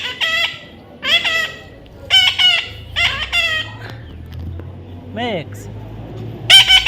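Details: Young parrot during taming, calling in a lively series of raspy squawks about once a second, including one lower descending whine-like note, with a steady low hum beneath.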